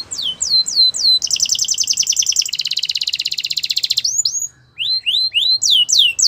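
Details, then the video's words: Belgian canary song meant to make other canaries sing: four downward-swept whistles, a rapid buzzy trill, a brief silence, then a string of rising and falling slurred notes. "Special canaries to seduce all the canaries to make them sing | Belgian canary"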